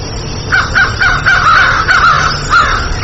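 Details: Crow giving a rapid series of short, clipped caws about twice a second over a constant low rumble and heavy background noise.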